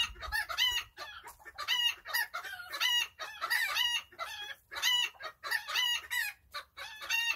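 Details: Chickens, kept as relaxed backyard birds, calling in a steady series of short, nasal, harmonic clucks and squawks. The clucks come in bursts about every half second, with a few soft low thumps near the start.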